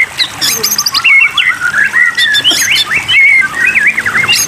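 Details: White-rumped shama singing on a water-therapy training track for caged songbirds: rich, warbling whistled phrases that twist up and down, with sharp high notes mixed in and barely a pause between them.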